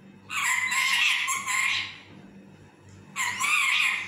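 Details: A drowsy pet parrot talks in its sleep, wanting a nap. Two rough, harmonic, speech-like phrases are separated by about a second of quiet, with a faint constant hum underneath.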